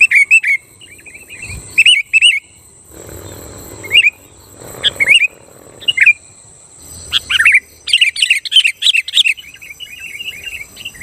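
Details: Sooty-headed bulbul in full, vigorous song meant to rile rival bulbuls: scattered pairs of bubbly whistled notes, then a dense, tumbling outburst of chattering phrases in the last four seconds, with soft rustling between.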